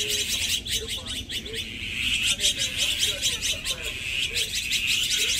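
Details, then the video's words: A flock of Azure-winged magpies, a resident, group-living crow-family bird that defends itself collectively against predators, keeps up harsh, raspy chattering in quick overlapping bursts, over a steady high hiss and a few soft lower notes. "특이한 소리를 내는 물까치, 생생한 물까치떼 원음"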